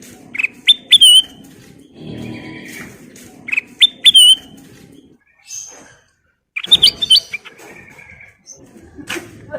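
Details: Full nyiul song from a black-crested bulbul: short whistled phrases with a rising then falling note, repeated three times a few seconds apart, over low background rumble.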